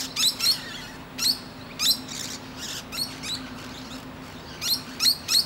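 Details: Perched musk lorikeet chatting to nearby birds; brief shrill, wiry screeches spaced about half a second to a second apart, some doubled, against a low background hum.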